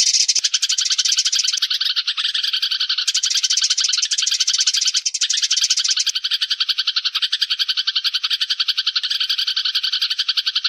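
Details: Flock of sparrows calling together, recorded as a lure: dense stream of rapid chirps and twitters, continuous and busy, swelling and easing slightly in loudness.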